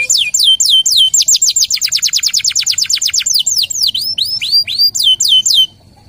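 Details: Local canary singing a training lure song: repeated high down-slurred whistles opening into a rapid even trill, then slower swooping notes, ending abruptly in quiet.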